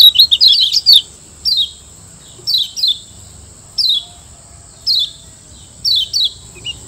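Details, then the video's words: Master song of a Lombok kecial kuning, a white-eye kept caged, recorded for training birds: rapid twittering chirps at the start, then sharp downslurred high notes, some paired, repeating about once a second over a constant high electronic whine. "Masteran Kecial Kuning"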